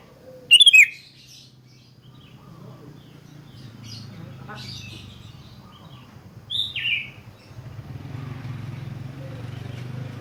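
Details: Sooty-headed bulbul calling, meant to stir other bulbuls into song: a loud sharp slurred note early on, then a second descending whistled note several seconds later, over a steady low hum.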